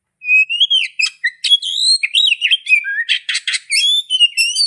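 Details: Oriental magpie-robin song opening with a long rising whistle, followed by a lively run of warbled slurs, high thin notes and a few harsh buzzy bursts.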